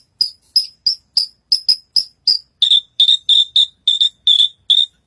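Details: Horsfield's bushlark in full song on a contest stage, delivering a rapid series of about fifteen short, clipped chirps, roughly three per second, the first run higher and the later run slightly lower and fuller; quiet background.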